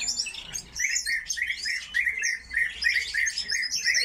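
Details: Several captive coal tits in an aviary give a dense chatter of short, high chirps and thin whistled notes, overlapping rapidly with brief pauses around one and two and a half seconds.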